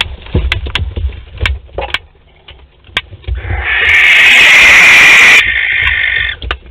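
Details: One of a barn owl pair visiting their nest box at Théding on 12 May 2020 gives a single loud, rasping screech of about a second and a half, after a run of thumps and scrapes from the birds moving about.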